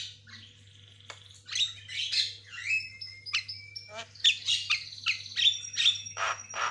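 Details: White-rumped shama kept as a cage bird, singing a mix of long thin whistles and harsh chattering bursts that grow louder and more rapid, with a constant low hum.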